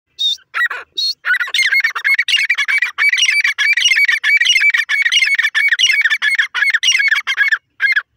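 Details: Grey francolin, called irani teetar or grey partridge, calling nonstop: harsh, squawky notes in dense, rapid repeated series, climbing and falling, with brief gaps.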